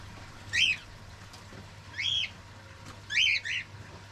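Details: Pet cockatiels, including young birds, giving short high chirps, each a quick rising-then-falling note, spaced about one and a half seconds apart, with a quick double chirp near the end; low steady room hum underneath.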